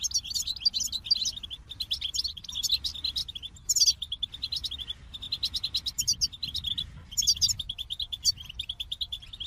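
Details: Extended goldfinch song: a steady stream of fast high chirps punctuated by brighter jingling flourishes every few seconds, with faint low noise in the background.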